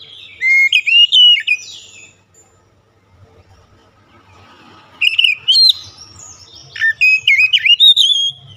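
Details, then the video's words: White-rumped shama singing as a lure: bursts of loud, varied whistles with bending notes and sharp flicks, a quiet gap of about three seconds, then two more lively phrases. "PANCINGAN KACER LANGSUNG ANGKAT SUARA GACOR BONGKAR ISIAN"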